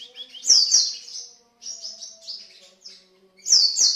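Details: White-eye 'pancingan' lure song, lively 'gacor' style: short bursts of high, sweet twittering phrases separated by brief pauses, with softer warbled notes between the louder outbursts.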